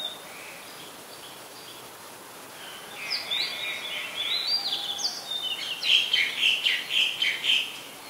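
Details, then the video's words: Oriental magpie-robin song from Ubon Ratchathani, Thailand, 2 July 2022: a softer start, then a run of rapid, repeated chirpy notes about four per second, with a steady high hiss behind. "นกกางเขนบ้าน Oriental Magpie Robin (singing)"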